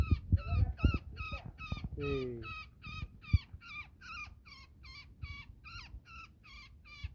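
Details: Net-caught woodpecker calling in distress while being freed: rapid series of harsh, downward-curving squawks, roughly four each second, with a brief human voice and handling bumps near the start.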